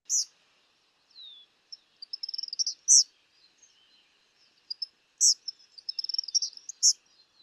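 Eastern Kingbird giving high, sputtering chatters of rapid electric notes with sharp buzzy zeers, the whole twittering phrase heard twice.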